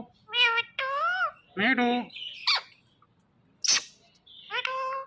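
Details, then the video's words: Pet rose-ringed parakeet, a talking parrot said to say "mummy papa", producing harmonic, voice-like syllables in short bursts, some rising and falling, with a sharp noisy squawk near the end; quiet background. "Talking Parrot Saying Mummy Paapa"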